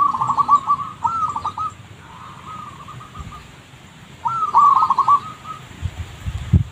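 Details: Zebra dove lure recording with rapid, staccato, purring coos in quick rolling phrases. A loud run opens, softer trills follow, then another strong phrase after a pause, ending with a few low knocks and a steady hiss.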